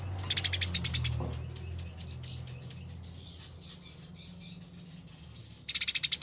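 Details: Eurasian tree sparrow fighting, recorded as a training master: a fast burst of scratchy chirps, a long stretch of soft faint twitters, then another dense, loud chattering burst at the end.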